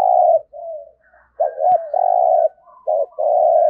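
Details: Decoy spotted dove, deep 'giọng thổ' voice: long low coos alternate with short clipped notes, with a sharp click partway through and faint softer coos in the gaps.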